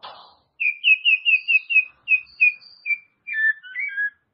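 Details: White-rumped shama singing, intended to rouse a shama that is lazy to sing: a string of clear, evenly pitched whistles repeated rapidly, with faint high overtones, closing with lower slurred notes.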